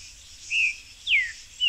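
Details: Wild buff-throated saltator in a backyard: three separate clear whistles, a short level note, a longer falling slur, then the start of another, against a continuous high insect drone.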